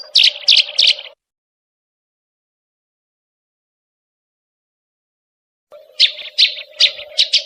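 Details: Sparrows in a fight: a short group of three harsh chirps, a long silence, then a second run of four to five sharp, scratchy chirps.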